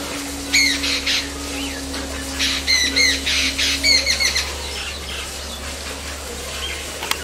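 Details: Jungle babbler, Bengali name ছাতাড়ে, babbling: harsh squawky notes with strong overtones, bunched into quick bursts for about four seconds, then fading to scattered softer notes, over a steady low hum.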